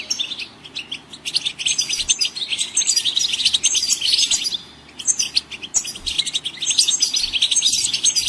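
Goldfinch song: a dense, rapid stream of bright twittering and tinkling notes, high-pitched and nearly continuous, broken by two brief pauses.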